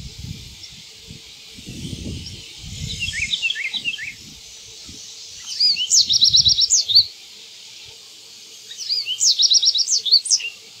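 American goldfinch gives three bursts of high, rapid twittering notes a few seconds apart over a steady insect-like hiss, with some low rumbles of wind.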